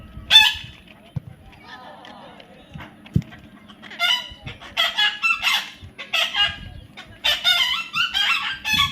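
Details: A baby parrot gives a single loud squawk, a quiet stretch with faint clicks, then bursts of grating, broadband squawks that come in quick clusters through the final five seconds.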